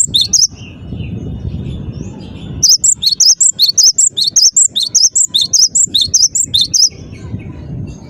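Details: Cinereous tit (gelatik batu) singing persistently: sharp two-note whistled phrases, high then dipping, repeated rapidly in a long burst after a quiet start with low background rumble.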